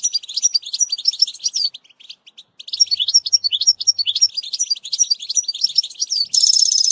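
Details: European goldfinch song used for training a young bird, with bubbling trill (تبتبة): rapid high twittering phrases and rising-falling notes, a short pause near two seconds, then more twittering ending in a dense buzzy trill.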